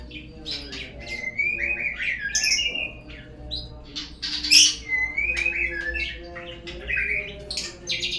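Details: Singing white-rumped shama used as a lure to start other birds singing: rich mix of slurred whistles, scratchy notes and sudden piercing high calls, with steady background hum.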